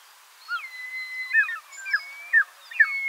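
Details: Short-toed snake eagle calling with short whistled, slurred notes that dip in pitch, given in a loose series roughly every half second, with a faint steady tone in the background.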